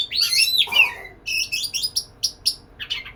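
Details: White-rumped shama courting a female: a loud warbled phrase with a falling whistle, then a string of short, sharp chipping notes spaced evenly, ending in a softer chirp.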